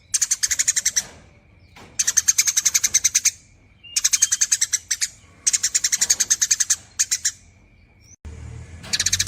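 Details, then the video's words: Eurasian tree sparrow giving long nyerecet chattering: quick runs of bright, high, dry chirps, around fifteen notes per burst, separated by brief gaps, and a low rumble near the end. "BURUNG GEREJA GACOR NYERECET PANJANG"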